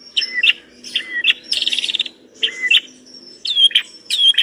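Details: Long-tailed shrike singing energetically with a richly filled, mimicry-laden song: paired chirpy notes with drooping whistles, a brief buzzy trill, and clear rising whistles toward the end.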